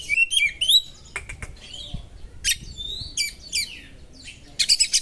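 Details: Oriental magpie-robin song used as sharp small-bird training material to stir up other magpie-robins: high whistled slurs and chattering notes in bursts, with brief rattling clicks between phrases and a dense buzzy flourish near the end.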